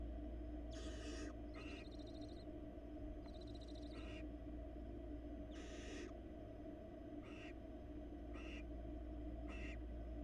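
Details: Barn owls at a Florida nest cam, a female bringing a rat to one of her young and then interacting with the male: harsh, broadband hissing screeches in bursts under a second long, several spaced across the recording, over a steady low hum.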